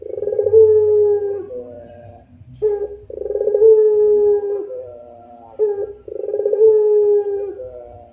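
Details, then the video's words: Spotted dove, called puter pelung, singing its moaning 'rintihan' song steadily as master audio for training doves. Three near-identical phrases about every two and a half seconds, each a pulsed stuttering start into a long hollow coo with a short tail. "Masteran Rintihan Puter Pelung Gacor Istimewa Bikin Puter jadi Rajin bunyi"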